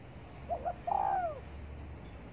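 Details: Morning coo of a sunbathing spotted dove: one phrase of two brief soft notes, then a longer, mellow coo that slides downward. A faint high thin whistle is heard afterward over quiet low rumble.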